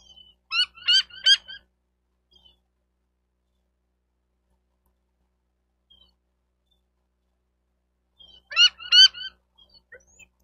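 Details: Bald eagles at a nest cam in Miami-Dade County, Florida, 28 May 2023: two quick bursts of high, stacked, squeaky chattering notes about eight seconds apart, with near-silence between.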